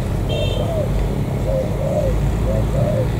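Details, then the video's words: Spotted dove, a local wild-caught bird from the An Giang border area of Vietnam, gives soft arched coos in pairs against constant low vehicle noise, with a brief thin whistle near the start. "Cu gáy bổi thổ cửa khẩu An Giang"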